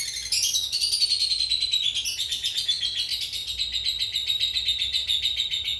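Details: Long ngekek chatter from a cobalt mangsi lovebird, used to train other birds: a fast, unbroken buzzy trill of rapid high clicks that slides gradually downward and then levels off, steady throughout.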